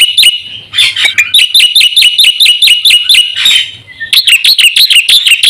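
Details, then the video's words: Black-winged myna in full, fluent song packed with fill-in phrases, used to lure and train caged birds: rapid runs of sharp, repeated chirps with bright upper notes, broken by a brief pause near the middle before the fast series resumes. "suara burung jalak putih gacor full isian RAJANYA pancingan dan masteran"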